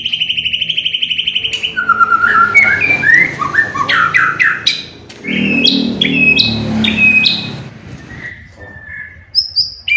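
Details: White-rumped shama song used to provoke other birds into singing: a fast buzzy trill, then varied whistled and rasping phrases jumping between pitches, with short high notes near the end.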